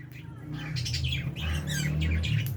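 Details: Albino and Fisher's lovebirds with budgies feeding in an aviary, giving overlapping bright chirps and squawks in bursts, with a steady low hum underneath.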